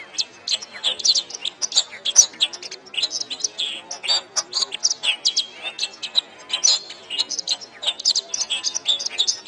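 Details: Canary song recorded as a training master for songbirds. Crisp high chips and fast trills repeat in lively irregular bursts, with occasional thin rising whistles.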